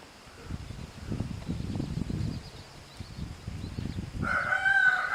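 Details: Mother hen with chicks, shown teaching them to drink while being harassed by a rooster: soft, low, murmuring clucks in short runs, then a loud sustained crow starts abruptly near the end.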